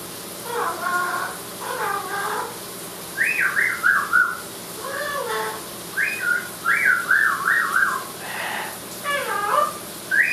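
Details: In the shower, an Amazon parrot alternates speech-like harmonic phrases with rapid zigzag whistled notes in quick bursts, over about ten seconds of chatter.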